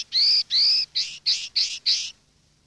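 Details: Common linnet field-style song for educating young linnets: seven rasping, buzzy notes, the first two long and slightly rising, the rest shorter and repeated at an even pace, before falling silent.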